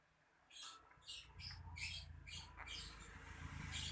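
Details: Lovebird calling in a quick series of shrill, scratchy chirps, repeated about three times a second, over a constant low background rumble.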